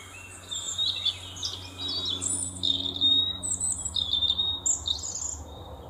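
European robin singing thin, high, tinkling phrases that rise and fall, delivered in a steady run of varied trills and whistles over a faint low hum.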